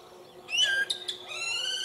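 A Common Blackbird gives a brief fluty phrase: a quick rising whistle, two short clipped notes, then a held, rich mellow tone. The background is quiet.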